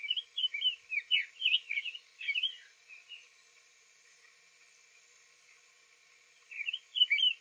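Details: Male Summer Tanager singing softly on an April 2023 morning in Lafayette County, Florida, days after arriving from spring migration; short burry warbled phrases of rising and falling notes, a pause, then another phrase.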